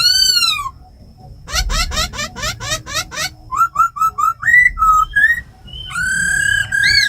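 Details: Captive laughingthrushes, female with rolling calls and tamed khướu mun singing wild-style 'giọng rừng' to stimulate new birds: a falling whistle, a rapid ladder of buzzy notes, short repeated whistles, then a long sustained tone.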